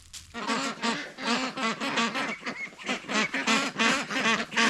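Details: Large flock of domestic ducks let out of their shelter on a very hot day, quacking in a busy, overlapping chorus of short nasal calls, about three per second, with a person speaking briefly.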